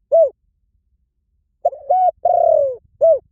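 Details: Low mellow coos from a spotted dove: a lone arched note, a long pause, then a short note, a level coo, a drawn-out descending coo, and a closing arched note.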